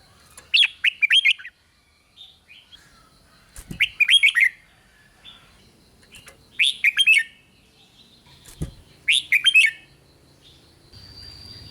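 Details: Red-whiskered bulbul singing in the rik style, meant to excite other bulbuls: four bursts of four or five quick warbled, slurred notes, about three seconds apart, with a faint steady whine near the end.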